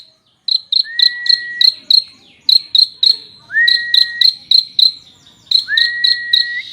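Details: Rich prenjak (prinia) song for tutoring other birds: steady series of sharp ticking notes, three or four per second, with a thin, flat whistle rising slightly at its end, repeated three times.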